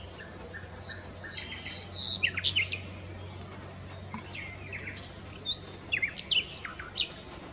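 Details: Nightingale song with a run of repeated high pure whistles, then a jumble of quick chirps and steep sweeps, over a constant low background hum.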